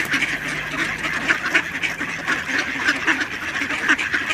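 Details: Khaki Campbell ducks quacking, a dense overlapping chorus of harsh, nasal quacks repeated rapidly throughout, several birds calling at once with no pause.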